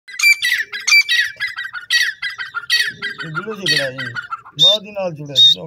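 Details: Pair of Grey francolins (teetar) calling back and forth to each other; loud, harsh squawking notes delivered in rapid repeated bursts, joined midway by lower, rougher overlapping notes.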